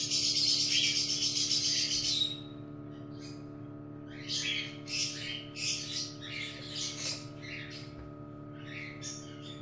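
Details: Cockatiel nest during a chick's hatching, 15 August 2018: a loud two-second hissing rasp, then a rapid series of short, harsh, grating chirps, roughly four per second, over a steady electrical hum.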